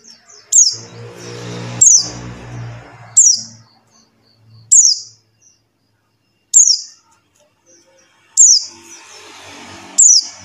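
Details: White-eye of the buxtoni type giving its call, used to lure silent white-eyes into singing: seven sharp high downslurred chirps, irregularly spaced, with bursts of low rumbling and hiss between some.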